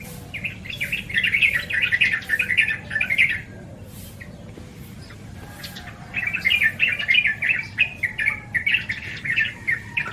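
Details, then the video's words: Yellow-vented bulbul, known in Indonesia as trucukan or merbah cerukcuk, giving bubbly, chattering song in two bursts of rapid warbled notes, each about three seconds long and separated by a pause, over a low steady background hum. "SUARA BURUNG TRUCUKAN"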